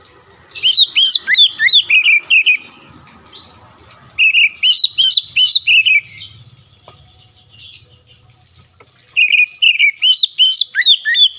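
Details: Oriental magpie-robin song played to provoke other magpie-robins: bursts of rapid, varied whistled notes with sharp rising and falling sweeps, repeated about three times a second in phrases separated by short pauses.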